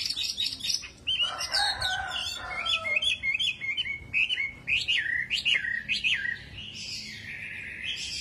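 A hwamei sings a rich, fast medley of loud whistled phrases: rising and falling slurs and quick trills, with a few harsher buzzy notes mixed in.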